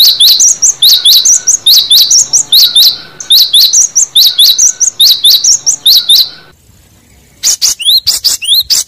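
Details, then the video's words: Cinereous tit in the wild, calling to rivals as a lure: rapid, sharp, high notes in quick repeated clusters for about six seconds, a short silence, then several fast upward-sweeping whistled notes. "Suara burung gelatik batu pemanggil lawan di alam liar"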